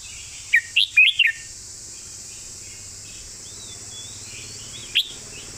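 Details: Red-whiskered bulbul 'phleng mae bot' master song: a quick cluster of four bright, rising-falling whistles, then a long pause before one more sharp note, over faint steady hiss.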